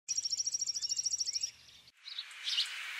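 A House Sparrow gives a fast, high run of about twenty sharp chirps in under two seconds, then a burst of broad hissing noise.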